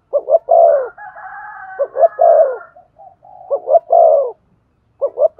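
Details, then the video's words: Spotted dove giving rousing coos to excite a decoy bird: paired short notes leading into a longer falling coo, repeated, with a faint higher drawn-out tone running under one phrase. "Chim cu gáy kích bổi nhanh nổi. tiếng cu thúc gù hay"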